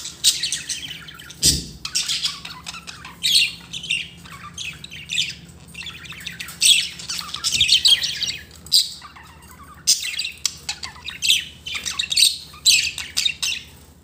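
Budgerigars chatter in bursts of scratchy, high warbles and squawks, with a brief thump early on.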